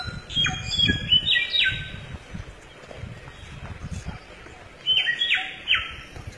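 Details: Forest-dwelling samyong giving scattered bursts of bright, falling whistles, with a quieter gap in the middle and soft rustling and ambient forest noise throughout.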